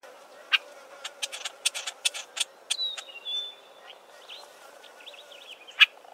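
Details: Several Southern Tchagras calling from a thick clump of Acacia trees: a series of sharp dry clicks and snaps, then a long thin whistle, followed by a quick run of rising and falling chattering notes and a final loud click.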